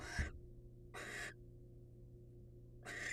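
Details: Wild male barn owl offering his catch to a female companion: three breathy, rasping screeches, each under half a second, separated by quiet gaps, with a faint thump and a low background hum.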